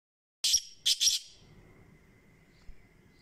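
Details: Black francolin (kala teetar) giving a short harsh call: a sharp high note followed by two rasping, buzzy bursts, then quiet with a faint steady tone in the background.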